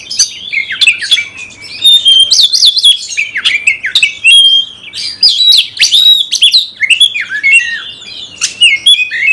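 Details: Oriental magpie-robin, a kept songbird, singing to provoke a fighting response: loud, varied whistled phrases with sharp rising and falling notes, harsh buzzy bursts and rapid chattering, delivered almost without pause.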